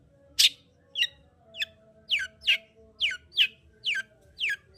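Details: Lure song of a long-tailed shrike, meant to raise a lazy shrike's breeding drive: one loud rasp, then a regular series of sharp, downward-sweeping whistled notes almost twice a second, with a faint hum.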